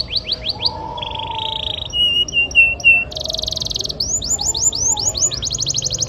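A canary sings a fast, varied song of rolling trills, buzzy rattles and clear whistled notes, switching phrases every second or so.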